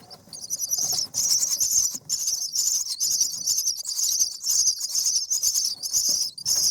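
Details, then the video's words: Nestling common mynas on their seventh day, being fed: an almost continuous stream of high, hissing, buzzy begging rasps pulsing about twice a second. "Common Myna Feeding baby birds"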